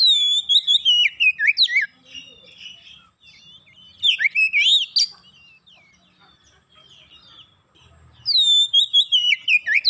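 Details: Oriental magpie-robin lure song to get birds singing: strong whistled phrases of sweeping, falling notes come in three bursts, with soft scattered chirps filling the gaps.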